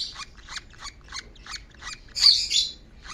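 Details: A young Fischer's lovebird tucked under a collar on a person's shoulder chirps softly and thinly, about three a second, while an albino Fischer's lovebird searches for it; a louder, harsher burst of chatter comes before the chirping resumes.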